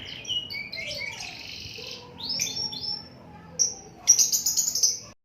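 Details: Energetic canary singing with varied phrases: slurred whistles and a sustained buzzy note, a few sweeping rising notes, then a loud rapid high trill at the close.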